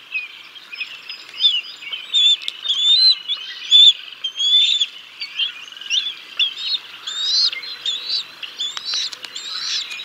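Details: Bald eagles at the Decorah North nest on 6 May 2022, on a live nest camera; the male brings a fish and feeds the chicks until the female arrives. High, thin whistled chirps chatter in rapid, uneven bursts, overlapping throughout.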